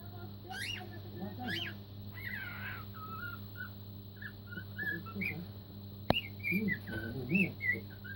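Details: Four-month-old cockatiel practicing Queen's Another One Bites the Dust, loosely improvising: short rising and falling whistled notes, then after a sharp click a run of clear whistles, over soft low chattering and a steady background hum.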